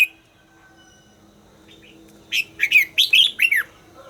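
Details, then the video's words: Red-whiskered bulbul during voice training, breaking a quiet pause with one crisp phrase of about six quick, cheerful warbled notes, some falling at the end. "luyện giọng chào mào hót hay - căng lửa, chào mào hót quá phê"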